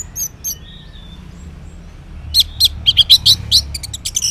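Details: Orange-headed thrush singing in the morning as a lure for silent males: two early high notes, a thin whistle, then a quick series of sharp rough chips, about four each second.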